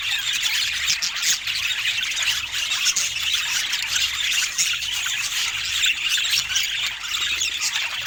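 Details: Rare colour-mutation budgerigars, kept birds filmed in natural Scandinavian light, chattering as a group: a dense, unbroken wash of high squeaky warbles and chirps overlapping for the whole stretch, with no music or speech.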